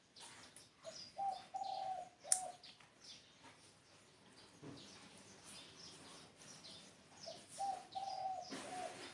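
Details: Spotted dove repeating its hollow cooing phrase twice, early and again near the end, several low notes each time, among busy high-pitched chirps and scattered clicks.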